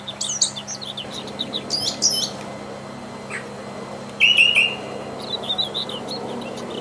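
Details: Wild Brown Thrasher singing freely: short, separated phrases of high chirps and slurred notes, including a rapid trilled burst near the end, over a faint steady hum.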